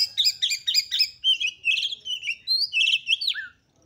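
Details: Steady stream of quick chips and wavering whistles from a female oriental magpie-robin, used to provoke males into quick agitation and fighting. It ends on a low descending whistle, followed by silence.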